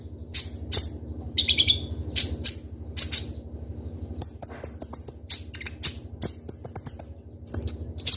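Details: Konin, the kolibri ninja sunbird, singing energetically with sharp 'shot' phrases meant for training other birds: widely spaced thin high chirps give way midway to rapid, piercing whistled bursts and short trills, with a constant low hum.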